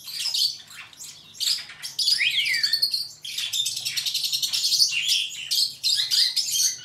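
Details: Superb starling song with a clear downward-and-up slurred whistle, then a rapid rattling trill of even clicks and more chattering phrases.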